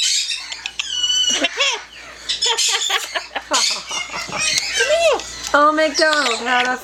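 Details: A pet Yellow-naped amazon talks and sings, chattering in rapid speech-like phrases with rising and falling tones and raspy squawks, and gives a short sung passage near the end.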